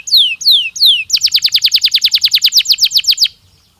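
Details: Canary singing naturally, used to prepare birds for the breeding season: three loud, sweeping downward whistles, then a fast, even trill of about twenty sharp notes, ending abruptly, with a quiet background.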